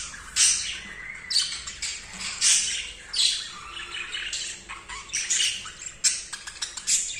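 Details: Budgerigar chatter: bursts of scratchy, high warbling squawks and chirps every second or two, loud and busy, from a very excited male courting a female before mating for the first time.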